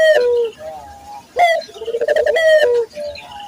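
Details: Local Barbary dove coo used to train other doves to coo readily: a soft falling note, then a rising accented note leading into a quick pulsing roll that drops at the end, with faint quieter coos.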